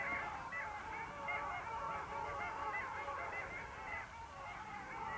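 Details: A wintering flock of long-tailed ducks, recorded 8 February 2013 at the mouth of the Vistula, gives a steady babble of nasal, wavering calls from many birds at once.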